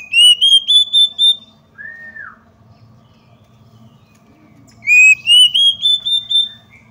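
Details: Lure call of a female Oriental magpie-robin that stirs males to anger and open their tails: a run of rising whistled notes, a single drooping slurred whistle, then another climbing whistled series, with a quiet steady hum beneath.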